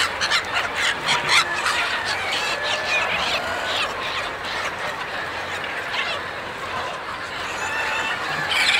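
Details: A chicken farm full of birds gives off a busy wall of sound: rapid, irregular clucks and short squawks overlap throughout, with louder bursts near the beginning and end.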